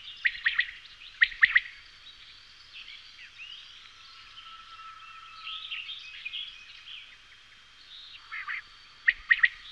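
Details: Common quail (Coturnix coturnix), song.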